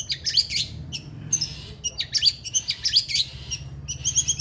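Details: Long-tailed shrike in a bird singing contest; dense bursts of harsh scratchy chatter mixed with sharp high notes, over a steady low hum of background noise.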